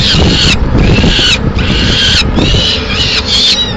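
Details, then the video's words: Female peregrine falcon arriving with pigeon remains in Madrid, 30 April 2016; harsh, drawn-out calls with a grating edge come in bursts of under a second, separated by short gaps, over loud, constant city traffic. "Merienda tardía_Halcón peregrino"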